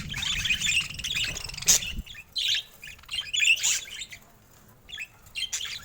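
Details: Several colorful pet budgies chattering together in quick squeaky, buzzy notes, with a sharp click partway through and short pauses between phrases.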